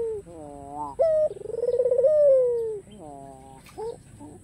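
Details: White black-collared ringneck dove calling to lure rivals into sound: a wavering rising lead-in, a sharp note, then one long vibrating coo that falls slowly, followed by soft rising notes.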